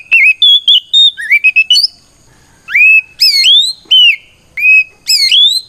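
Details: Oriental magpie-robin in full fighting song, used to provoke rival magpie-robins into answering: loud pure whistles, many sweeping upward then levelling, in short bursts separated by brief pauses, no other sounds.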